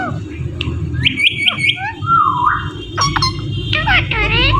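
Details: Talking Indian ringneck parrot; short sharp clicks and squawks, a drawn-out nasal speech-like phrase, then harsh broadband calls and a falling syllable, with steady low background noise.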